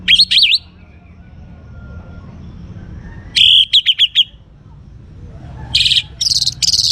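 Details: Young orange-headed thrush (anis merah) in full song, kept in the Singaraja area of North Bali, Indonesia, used to coax other birds into singing: bursts of high, rapid whistled and chattering notes separated by pauses, over low background hum.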